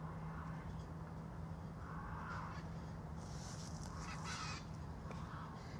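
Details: A Severe (Chestnut-fronted) Macaw, an invasive species in South Florida, flies over Miami on the morning of 9 May 2020, giving loud, harsh, grating squawks over a steady low rumble.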